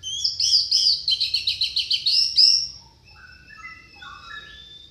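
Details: Orange-headed thrush lure song for birds that will not sing: a fast run of about a dozen loud, high, chattering notes, then softer, lower whistled phrases trailing off.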